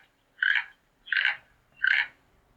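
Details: Three loud, hoarse croaks from a toucan, evenly spaced about 0.7 seconds apart, each a brief rasping grunt over a quiet background.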